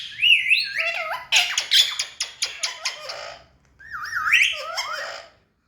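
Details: Ringneck parrot, kept as a tame talking bird: wavering harmonic notes lead into a rapid series of harsh squawks, a short silence, then another looping, undulating vocal phrase.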